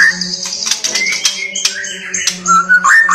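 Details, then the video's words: White-rumped shama singing energetically, a mix of clear whistled notes, quick slurred phrases and high scratchy notes, over a steady low electrical hum. "Murai Batu Lain AUTO GACOR Terpancing dengar KICAUAN Murai Ngotot seperti ini"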